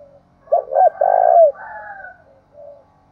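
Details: Spotted dove, Dong Nai, Vietnam: two quick clipped coos then a long purring low coo, followed by a softer, higher trailing note and a faint final coo.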